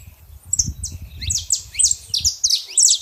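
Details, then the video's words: Wild saffron finch in a natural setting giving quick bursts of bright, high downslurred notes in short clusters, over low rumbling background noise at the start. "canário da terra fazendo barulho na natureza"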